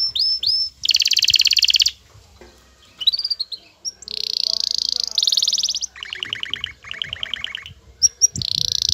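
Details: Male canary in courtship, with a female calling: a varied mix of slurred whistles, dense buzzy rolls and pulsed chattering trills in quick succession, with a soft background hum.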